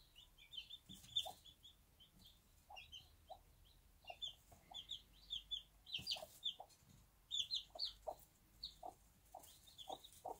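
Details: One-day-old chicks peep constantly in high, short notes while their bantam mother gives spaced low clucks, on a small backyard farm with faint low-pitched background noise.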